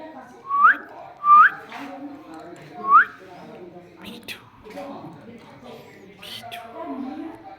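A parrot gives three quick rising whistles, then mumbles speech-like phrases in copied voices, with soft room noise behind.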